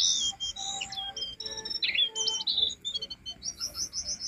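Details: Jongkangan song used as a training master for cage birds: a fast mix of high whistled slurs, sharp chips and rattling notes, ending in a rapid repeated series of short high notes.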